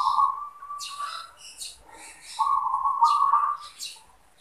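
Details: Captive zebra dove cooing: a steady purring trill followed by a pause and a second rippling coo, lightly backed by high twittering of other birds.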